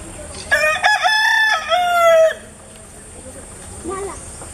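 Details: Rooster crowing in the early morning at Karnala Bird Sanctuary, Maharashtra, India: one loud harmonic cock-a-doodle-doo of about two seconds, broken into stepped segments and ending in a long drawn-out falling note, followed by a faint short call.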